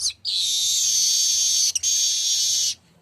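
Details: A streaked weaver opens with a quick high chirp, then holds an intense hissing, sizzling buzz for over two seconds, broken once by a brief gap.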